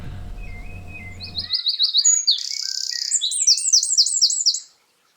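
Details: Eurasian Wren (Troglodytes troglodytes) song: a loud, high-pitched, tumbling run of sharp notes and rapid trills lasting about three seconds, after a stretch of low background hum.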